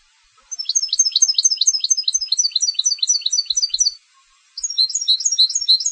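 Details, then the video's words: Competition-bred European goldfinch singing: two bursts of rapid, high twittering notes, each syllable a quick descending chirp repeated several times per second, the first lasting about three and a half seconds, a short pause, then another fast run. "Canto del Jilguero de Concurso"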